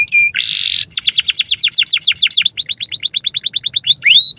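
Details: Canary singing a long, lively master song for young and silent canaries: a short flat whistle and a harsh buzz, then a fast run of sharp downslurred notes, closing with a rising whistled swoop.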